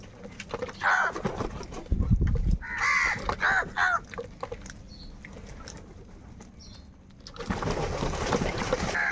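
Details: Crows quarrelling over food: short hoarse caws early on, then a quieter gap, followed by a burst of rough noise and a final faint caw.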